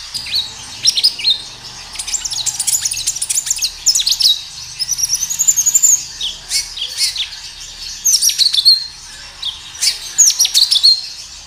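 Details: Kinoi song from nature, used as a lure so kinoi answer quickly: long run of bright high chirps and thin rising and falling whistled slurs, broken into phrases, with short gaps near the end.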